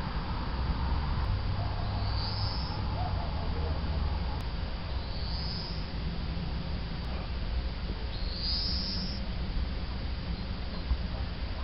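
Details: European greenfinch heard around 8:45pm on a June evening in County Antrim, Northern Ireland: three drawn-out, high, rising buzzy wheezes spaced about three seconds apart over a constant low rumble of background noise.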